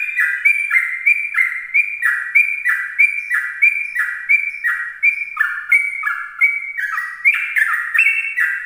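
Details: Yellow-vented bulbul singing its lively morning ropel song, used to lure other bulbuls: a fast, unbroken run of bright whistled two-note phrases, each dipping then stepping up, repeated about three times a second.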